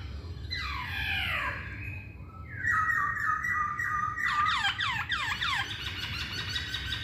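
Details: Masked laughingthrush singing in a provocation recording: descending slurred notes, a level ringing whistle, then a quick series of falling sweeps, over faint low background noise.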